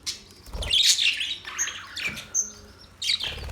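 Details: Budgies chirping: shrill, buzzy high bursts with a few short clear whistled notes between them and a soft background hum.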